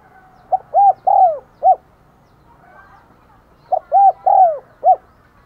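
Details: Decoy spotted dove in a lure-calling session for wild doves, giving two soft, hollow coo phrases: a quick opening note, two rounded arched coos, a drawn-out falling coo and a short closing note.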